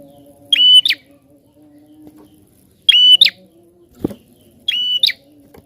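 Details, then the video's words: Persistent prinia calling, recorded as a prompt for other birds to sing, repeats a loud rasping two-part phrase three times, roughly every two seconds. Each is a level note then a sharp drop, with a low hum and a single thud. "Prenjak Gacor Ngotot Ampuh Rangsang Bunyi Burung Bahan"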